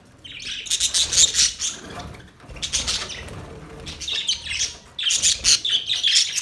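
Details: Chattering budgies deliver rapid, scratchy high chirps in clustered bursts, blending into continuous warbled twittering with small dips in loudness.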